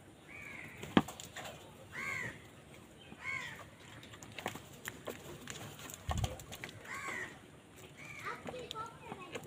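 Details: Crows fighting for food, calling with a rapid string of hoarse, arching caws, some overlapping, plus clicks and a low thud midway.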